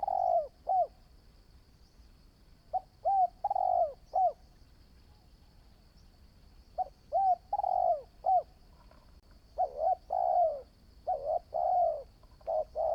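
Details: Spotted dove, a promising new decoy bird in training, repeating hollow coo phrases. Each mixes short notes with one longer falling coo, and the phrases come faster toward the end over a faint high whine.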